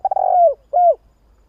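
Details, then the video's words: Part of a spotted dove call used as a lure for doves: a stuttering, burred coo drawn out and falling, followed by one smooth, drooping coo. "Tiếng chim cu gáy nghe là ghiền kích bổi siêu nhạy"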